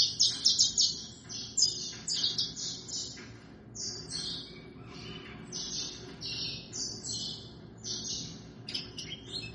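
Saffron Finch singing a fast, high jumble of sharp chips and short buzzy notes in loose phrases, with a faint low background hum.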